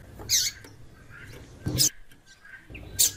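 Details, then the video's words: Sharp, high, scratchy chips from a female white-throated seedeater calling to stimulate the male, three loud notes spread over three seconds above a low rumble. "Piado de Fêmea de Coleiro e chamando muito - esquente seu coleiro"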